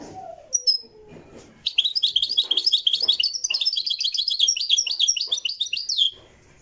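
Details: Moroccan goldfinch in a live recording: after a few scattered notes, a rapid continuous twittering song of high, bright, buzzy chirps runs for about four seconds without pause, with soft background knocks.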